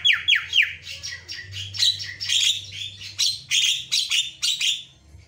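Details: Black-winged myna, white-eyed type, in full energetic song: a rapid series of harsh, buzzy downslurred notes followed by dense chattering bursts and scratchy phrases, loud and continuous, with a faint low hum underneath.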